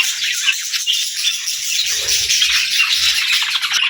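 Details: Pet parrot's morning: a rattling, fast stream of high chirps and squeaky notes, constant from start to end.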